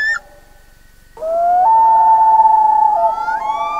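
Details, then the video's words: A Common Loon on a northern Canadian lake at night in summer, with a crackling fire, gives a long, mournful wail that slides up to a sustained pure note, then steps higher, after a brief earlier call and a pause. "LOON CALLS AT NIGHT / COMMON LOON VOICES"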